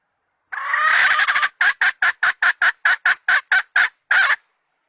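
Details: A decoy hen chicken recorded for the 2020 season opens with a rasping drawn-out note, then delivers a steady series of about eleven sharp clucks, each separated by a brief silence.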